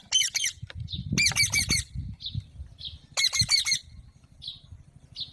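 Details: Alexandrine parakeet giving harsh, raspy squawks in short bursts of three to four notes, with the bursts spaced about two seconds apart. Faint low rumbling sits underneath, and brief softer chirps come between the bursts.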